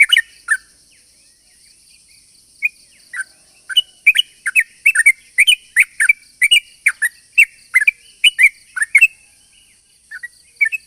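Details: Yellow-vented bulbul lure song: a few chirps, a quiet pause of about two seconds, then a long fast run of bubbly rising and falling notes, fading out near the end, with a faint steady high tone.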